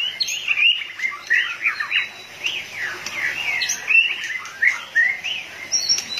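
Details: Loud, melodious whistling from a white-rumped shama in peak condition, tail flicking rapidly: looping up-and-down slurred notes in steady succession, with occasional high sharp accents.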